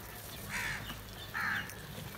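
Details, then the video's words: Crows calling loudly while eating together: two clear, raspy caws less than a second apart, each short and flat-pitched, over a constant low background hum. "These Beautiful Crow Eating And Feedings Together With Unity | Calling And Crowing Loudly"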